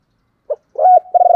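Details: Spotted dove kept as a decoy, giving its driving and calling coos: a short low note, then a longer mellow coo, followed by a fast series of pulsed cooing notes, clean with no background sound.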